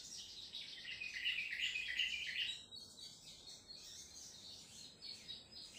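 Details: Sogon trotol singing hard: a loud, rapid chattering trill for about two seconds, then softer scattered high chirps and twitters, fairly regular in rhythm.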